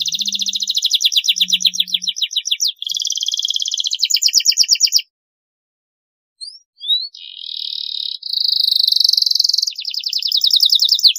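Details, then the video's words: Canary tutor song made to get young canaries singing quickly: varied rapid rolling trills and buzzy pulsed phrases, a silent gap with a few sharp whistled flicks, then renewed high trills ending in swooping notes. "masteran kenari durasi panjang, masteran kenari paud agar cepat gacor"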